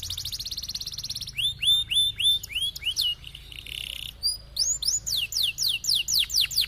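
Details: Canary song in atas bawah style, played to set stalled canaries rolling: a fast buzzing trill, then bright rising-and-falling whistles repeated about four per second, a brief low roll, and more swooping notes.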